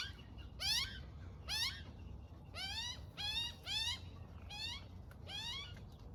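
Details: Baby Australian magpie spending the morning with its mother, which is feeding it; the chick gives loud nasal, harmonic squeals that rise then slide down, about eight in six seconds at uneven spacing, over a low background rumble.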